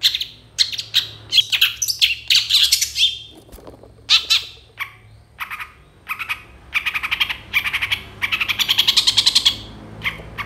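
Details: Long, continuously delivered mimicry song from a Long-tailed shrike, mixing grating squawks, buzzy phrases and a rapid chattering rattle near the end.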